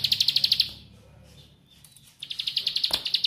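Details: Bar-winged prinia (ciblek pari) 'nembak rapet' lure song to provoke other birds: a burst of rapid high clicks stops for about one and a half seconds of near silence, then the fast clicking resumes.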